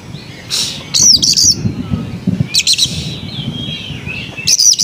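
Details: Melodious Oriental magpie-robin song: short scratchy high chattering bursts and faint warbled whistles between them, over a steady low background rumble.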